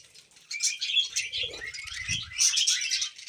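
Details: Budgerigar chattering contentedly, a short burst of rapid squeaky warbles and clear whistled pips after a quiet start, with soft low knocks underneath.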